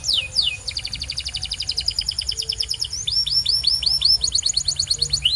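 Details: Canary singing for training and coaching other canaries: rapid rolling trills of clipped notes, then a run of repeated falling whistled slurs about three per second, bright and high.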